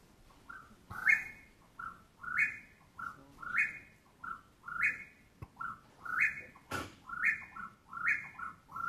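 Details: Eastern Whip-poor-will calling at night, repeating its whistled three-part 'whip-poor-will', rising on the end, about every second and a quarter, growing excited; a couple of dull thumps in the background.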